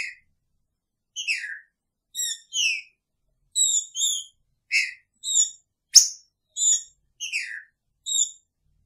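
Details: Caged male Green-winged saltator kept with his female, singing clear whistled notes in short paired bursts that slide downward, repeated about every second against a quiet background.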